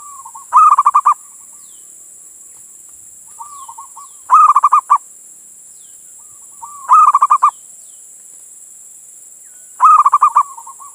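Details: Male zebra dove calling a female as a lure for others: four loud bursts of quick, pulsed cooing, repeated about every three seconds, each preceded by a softer lead-in coo.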